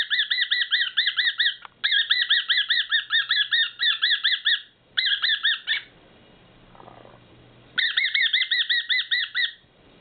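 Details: Pet male whiteface cockatiel in a bout of its unusual excited call, heard only every few months; bursts of rapid grating notes separated by pauses, one gap about two seconds long before calling resumes.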